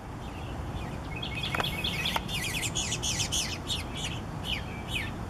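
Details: Eastern bluebird young being fed by their parents beg with a fast, busy chatter of thin, high chirps and short buzzy notes, over a steady low background hum.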